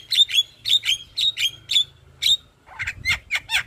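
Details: Javan myna singing by day in front of a house, varied full repertoire: a run of paired whistled chirps repeated about twice a second, then coarser harsher notes after a brief pause.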